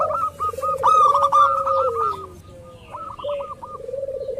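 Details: Zebra dove lure from local birds to make rivals call back: trilled low coos sliding downward beneath dense runs of short clipped higher notes, then a softer second series of notes and coos.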